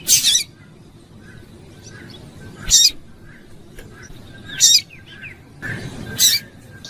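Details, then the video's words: Calls of a female double-collared seedeater meant to excite a male into song: four short, piercing high notes roughly two seconds apart, with faint twittering and a low background rumble. "FÊMEA DE COLEIRO FOGOSA PIANDO E CHAMANDO MUITO - ESQUENTE SEU COLEIRO"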